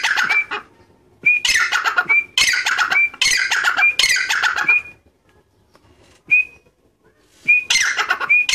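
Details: A whistle-tamed Grey francolin (Ortygornis pondicerianus) gives loud, harsh, grating bursts about a second long, several in a row, broken by pauses and a short, clear rising whistle.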